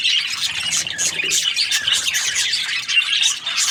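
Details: Budgerigars chirping, a dense continuous chatter of overlapping high warbles, squawks and short tweets from several birds, with no pauses and a faint low hum beneath.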